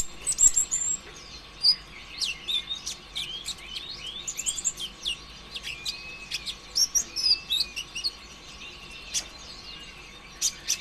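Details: Konin ijoan, or kolibri ninja, a sunbird singing as a lure to get other birds singing. Lively high twittering with sharp chirps and drawn-out thin whistles in clusters, broken by short pauses.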